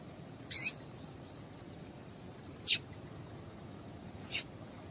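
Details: Calls of a female double-collared seedeater, meant to get a male singing: three brief, bright high-pitched chips spaced one to two seconds apart against a constant faint high hiss.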